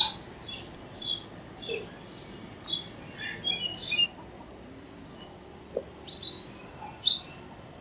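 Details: House sparrow chirps, quick short notes scattered through the recording with overlapping twitters and a louder chirp near the end, over a low background hiss.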